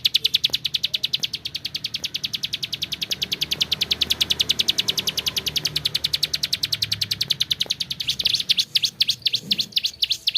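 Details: Bar-winged prinia (ciblek sawah), singing in lively gacor style: a long, fast, even rattle of high chipping notes, about two per second at first, then breaking into sharper separate chips near the end.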